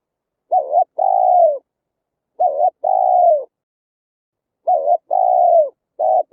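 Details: Spotted dove call for luring wild doves by loudspeaker: three evenly spaced phrases, each a short bent note and a sustained sinking coo, with another phrase beginning at the end.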